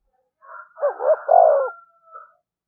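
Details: Decoy spotted dove cooing continuously to provoke rival doves to fight: one low hollow phrase, two short rising notes then a longer falling coo, with a faint higher drawn-out tone alongside.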